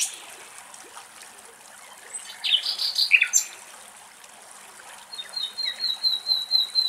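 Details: Common linnets, male and female, drinking running spring water at a forest edge in Greece: a burst of bright twittering chirps, then a quick run of thin, high, even notes about twice a second, over soft trickling water.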